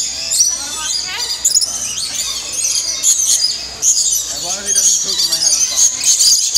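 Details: Lorikeets at feeding time in an indoor aviary at Bird Kingdom, Niagara Falls, Canada, where they are fed cups of nectar, fill the air with a steady wash of shrill, screechy chatter from many birds, with people's voices mixed in.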